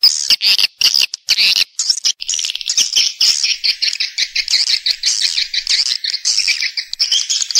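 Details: Swiftlet calling and roosting chorus in stereo: overlapping high, thin chirps and trills running continuously, bright and insect-like, with brief gaps early on.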